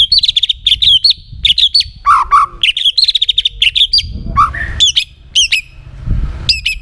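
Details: White-rumped shama singing as a lure for other shamas: rapid strings of high chipping whistles, interrupted by lower buzzy notes, then sharp descending whistles, with faint low background noise.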